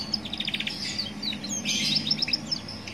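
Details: Roadside song of a young Atlantic canary, used to coax other canaries into singing; a rapid staccato trill, then a noisy rushing burst and bright high chirps, with low traffic hum throughout.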